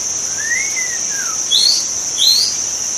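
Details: White-rumped shama in the wild: a smooth arched whistle followed by a short falling note, then two higher rising whistles, with a steady high insect drone behind.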